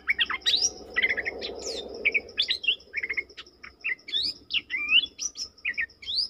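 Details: {'caption': 'Bulbul singing, dated 20/03/2022: a lively run of quick whistled and chattering notes with sharp upward and downward sweeps, barely pausing. A regular high insect pulse and a soft low rumble sit underneath.'}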